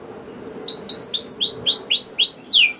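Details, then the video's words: Canary song used as a lure to prompt other canaries to sing: a quick series of about eight bright, upswept whistled notes repeated in fast succession, ending in steeper sweeping notes, over faint background hiss. "Langsung Nyaut Gacor Dor Kenari Apa Pun Dengan Pancingan Kenar Gacor Ini || Voice of Canary"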